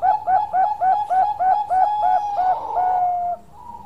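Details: A Bangkok zebra dove (perkutut), an actively singing bird, gives a quick run of about ten soft, rounded coos, roughly three per second, ending in a longer drawn-out coo.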